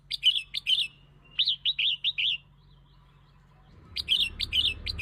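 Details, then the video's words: Red-whiskered bulbul song played to lure and provoke other birds: short bright warbled phrases of three to four notes, repeated in quick bursts with a quiet pause in the middle, over a faint low hum. "เสียง (ยั่ว) นกกรงหัวจุก เสียงนกกรงหัวจุกล่อนก กระตุ้นนกกรงหัวจุก"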